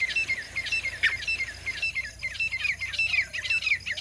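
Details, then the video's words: A female grey francolin gives quick, high, repeated chirping notes, several to a second, that overlap in a busy, continuous run. "पार्ट्रिज साउंड ग्रे फ्रेंकोलिन आवाज तीतर आवाज फीमेल की आवाज मदी तीतर की आवाज"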